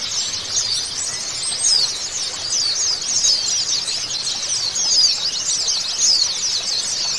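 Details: White-eyes in a recording played as therapy to get a silent caged bird singing: dense, unbroken high twittering from several birds, with rapid squeaky trills and chattering notes overlapping throughout.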